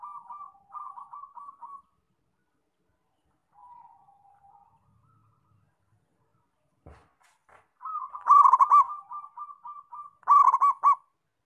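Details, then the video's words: A local zebra dove in song. It opens with soft staccato trilled notes, goes quiet, and gives a short murmur and a faint knock. Then two loud rolling coo phrases follow, the first introduced by a run of quick soft notes. "Perkutut Lokal Gacor"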